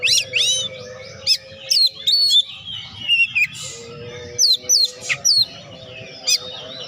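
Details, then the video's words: Oriental magpie-robin in full, lively song, played to stimulate lazy magpie-robins to sing: rich whistled phrases with sweeping slurs and sharp high notes in separate bursts, a faint low hum beneath. "BURUNG KACER GACOR.COCOK UNTUK PERANGSANG KACER YG MALAS BUNYI"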